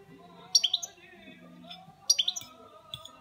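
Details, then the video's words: European goldfinch kept as a pet, giving short bursts of three or four high, sharp twittering notes separated by pauses of over a second, with a quiet background hum. "Saka Kuşu Böyle Öter"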